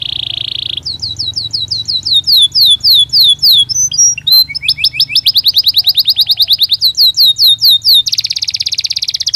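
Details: Belgian canary singing naturally, used for training caged canaries: a short buzzy trill, then repeated down-slurred whistles, a jumble of quick notes, rapid even trills and a closing buzzy roll.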